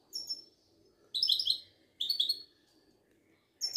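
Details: Moroccan Widani goldfinch, a caged singing bird from a Casablanca market, giving a short whistle then two lively bursts of rapid tinkling twitters, ending with another thin high note, in a quiet room.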